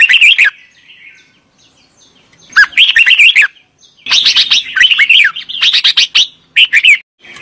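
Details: Indian red-vented bulbul giving loud, chattering bursts of warbled, wavering chirps, several in a row with brief pauses, close and somewhat overloaded.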